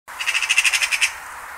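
A magpie gives a harsh, rattling chatter of about ten rapid grating notes in under a second, with faint background hiss and no other sounds.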